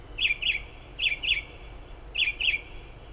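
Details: Bird calling outside a kitchen window in Toms River, south-central New Jersey, during late night and early morning hours: three pairs of short, twisting chirps, each pair about a second apart, over background hiss.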